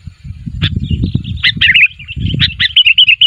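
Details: Sooty-headed bulbul calling for other bulbuls to answer. A single sharp chirp leads into a flowing run of bubbly, warbling notes and quick repeated chirps, over low rumbling background noise.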